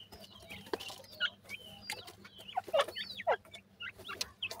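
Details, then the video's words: Grey francolin chicks calling: short whistled peeps and curved, sliding chirps, some rising and some falling, given irregularly at about two per second over a low steady hum, with scattered clicks. "grey francolin bird chicks ke natural voice"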